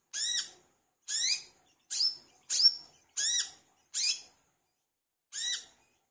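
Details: Olive-backed sunbird, locally called wiceh or manggar, singing actively in a recording meant as a lure to get other sunbirds singing: seven harsh, ringing chips with sharply rising overtones, spaced about a second apart with one longer pause, no other sounds.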